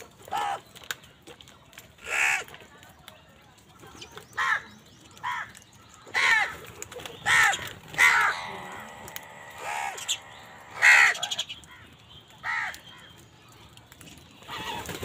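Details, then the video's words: Several crows squabble over food, with a run of harsh, ragged caws repeated every second or two over fifteen seconds, some overlapping, against faint background chatter. "কাকের ডাক Crow Sound Crow ki Awaz Loudly part | Crow bird Fight for Food"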